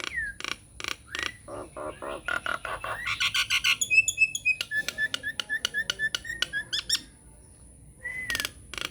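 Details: Nias hill myna in full lure song, meant to prompt silent mynas to answer: a rapid run of harsh broadband bursts, then clear high whistles, clicking notes and stacked chattering pulses, ending with a rising-falling whistle.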